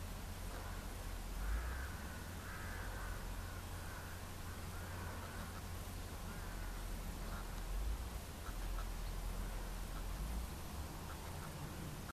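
Levant sparrowhawk giving harsh, nasal calls repeated every second or two over a heavy low rumble of wind.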